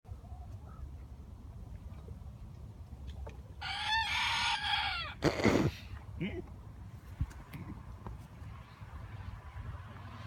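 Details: A chicken makes a strange noise: a harsh, buzzy, drawn-out burst lasting about a second, then a short loud squawk, over quiet background hum.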